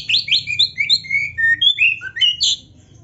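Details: Rich varied song of an Oriental magpie-robin (kacer) from a daily training recording: a quick series of about nine clear descending whistled slurs and chirps, each under a quarter second, then brief silence.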